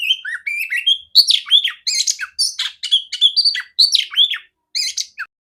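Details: Female oriental magpie-robin, with a big, clear voice, singing a song meant to be played to other magpie-robins as training. The song is a fast, varied stream of whistled slurs, rising and falling notes, and harsh chattering bursts, with short pauses between phrases.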